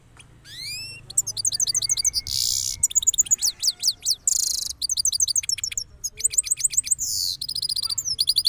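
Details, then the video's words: Cross goldfinch from Parachinar singing its rolling song after moulting: fast high trills, buzzy bursts and sweeping whistled notes follow each other without pause, opening with a long rising whistle. "Cross Gold Finch Part 3 After Moulting Rolling Songs"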